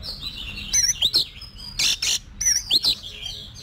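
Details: Competition-trained Oriental magpie-robin singing rising whistles and looping high notes, punctuated by dry rasping bursts and sharp clicks, with a quiet low hum beneath.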